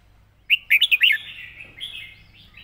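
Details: Red-whiskered bulbul giving an easy model song phrase for training birds: a quick run of four or five loud warbling notes, then a softer trailing whistle fading out.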